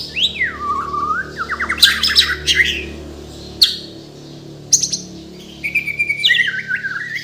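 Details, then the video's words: Kalimantan-born white-rumped shama singing with many mimicked fills: a swooping whistle, a fast rattling trill, then scattered sharp clicks and high whistled notes over a faint low hum. "MURAI BATU BORNEO GACOR FULL ISIAN || AMAZING BIRD CHIRPING MURAI BATU"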